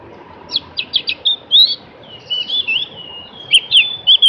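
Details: High, varied chirping from a Javan grey-throated white-eye: short sharp notes in a quick trio, then longer sliding, warbling phrases and a few emphatic chirps, continuing throughout.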